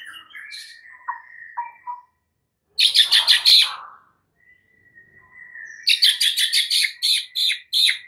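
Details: White-rumped shama full fill-in song: a few whistled notes and a long flat whistle, broken by bursts of rapid, buzzy, high chattering pulses.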